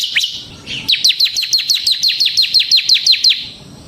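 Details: Bar-winged prinia ('ciblek semi'), a captive bird in strong song used as a lure and tutor: a single unbroken run of about fifteen fast, high, evenly repeated chirps after a brief opening note.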